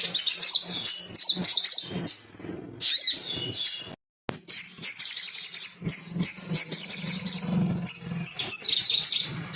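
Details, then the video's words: Caged male little spiderhunter in full gacor song, meant to make other birds sing: piercing high chips in quick runs, a brief silence, then a sustained series of rapid repeated notes over faint low hum. "PANCINGAN CEPAT BUNYI DAN NGALAS❗TERAPI GACOR"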